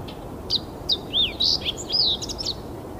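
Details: A fox sparrow at Iona on Thursday 28 September 2017 sings a rich, quick phrase of about ten sweet whistles and slurred notes, rising and falling over two and a half seconds, over a faint low rumble.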